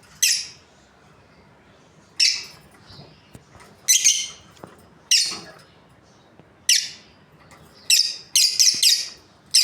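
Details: Caged breeding pair of Australian lovebirds giving loud, sharp, high chirps, some single and some in quick bursts of two or three, spaced irregularly over about ten seconds, against faint low background noise.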